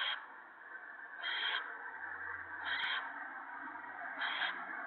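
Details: Owlets in the nest on the evening of 28 March 2017, one swallowing a whole gopher: rasping hiss with four louder breathy bursts over about five seconds, plus a faint low hum.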